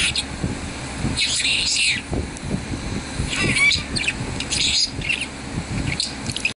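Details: Male budgerigar, or parakeet, giving a chattering warble of scratchy, buzzy chirps and short whistles in irregular bursts, with steady low rumbling noise underneath.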